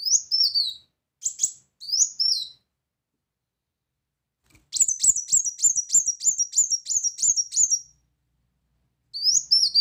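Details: Loud 'tembakan' song of a brown-throated sunbird: three high swooping notes, a silent gap, then a rapid chattering string of about a dozen thin high notes, and a final swoop.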